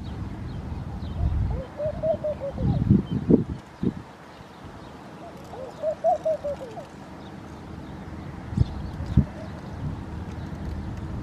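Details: Two phrases of soft, rolling coos from a laughing dove in Al Rahmanya, Sharjah, UAE, each a short burst of arched notes, separated by a pause; loud thumps and handling knocks and low urban rumble in between.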